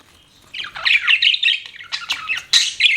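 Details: Pet parakeets chirping after a brief silence, a fast warbled stream of squeaky, buzzy notes with a few sharp clicks and harsh squawks toward the end.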